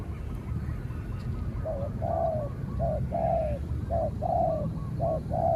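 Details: Spotted dove calling in a contest with a distant wild dove. Four cooing phrases, a short hoot then a longer falling coo each, coming about once a second in the latter half, over a fairly loud rumbling low-frequency background.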